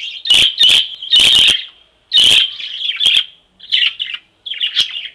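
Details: Free-flying (loose) budgerigars chatter in quick, scratchy warbles and high chirps, in bursts under a second long with brief pauses between and a few sharp clicks.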